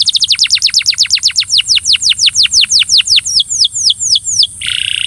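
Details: Belgian canary singing to coax another canary into song: a fast, rhythmic series of high, sharply descending whistled notes, about three per second, that slow and widen toward the end before a brief buzzy note.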